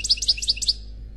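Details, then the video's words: Unmated male European goldfinch singing in the khalwi style: a short burst of about six sharp, high twittering notes alternating with lower chirps, ending in a faint fading trill. "Chant Chardonneret Khalwi Célebataire"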